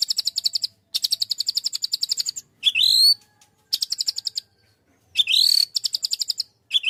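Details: White-rumped shama in full chattering song with 'tembakan' bursts: fast machine-gun rattles of sharp high notes, broken by rising swept whistles and short pauses.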